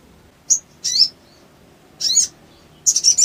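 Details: Sooty-headed bulbul in an emotion-triggering lure, with spaced harsh, high chips and buzzy notes separated by silent gaps, ending in a quick rattling trill of rapid sharp notes.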